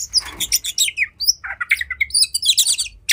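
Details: Agitated, fighting oriental magpie-robin (kacer) in full song, meant to provoke other magpie-robins into tail-spreading; short bursts of high chirps and squeaky whistled notes with brief gaps and a harsh scratchy note near the start.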